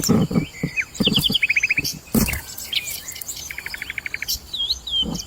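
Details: Wild long-tailed shrike at its nest: short rapid trills of evenly spaced notes, scratchy chirps and a few rising and falling whistles, broken by loud knocking and rustling sounds close by.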